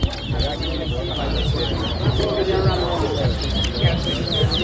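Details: Towa towa, or chestnut-bellied seed finch, competing in a whistling competition at Lusignan, Guyana. Rapid, repeated high warbling notes run throughout over steady crowd murmur and low rumble.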